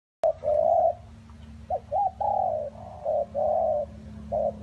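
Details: Spotted dove cooing in rainy, windy weather: a low, soft series of hollow coos, some short and clipped, others drawn out for about half a second, over a steady low rumble of wind.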